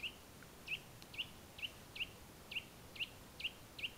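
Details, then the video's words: A Eurasian nuthatch in the Tiétar Valley, Sierra de Gredos, Spain, gives a steady series of short, clear whistled notes, about two per second, against a quiet background. "Audición del Trepador azul, Sitta europaea"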